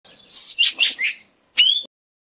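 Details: Indochinese green magpie confronting a Dione rat snake: a loud, thin whistle, then three harsh, grating notes in quick succession, a short pause, and one more rising whistled note.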